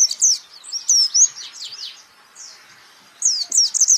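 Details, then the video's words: White-eye song from a songbird training recording: high, thin, twittering notes with quick sweeping slurs in short bursts, a near-silent gap mid-clip, then a new burst of twitters. "pleci Jawara Pake Masteran ini jamin Geter-GETER!!!!!"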